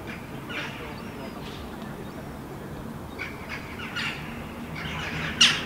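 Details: On a rooftop in Helsinki, Finland, in July 2015, a herring gull fledgling and its parents interact, giving harsh squawking calls in scattered bursts that end in a louder, sharper cry, over a steady low background rumble.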